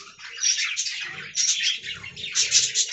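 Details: Talking budgerigars from an aviary colony: loud, scratchy chattering warble in waves, with faint low knocking sounds beneath.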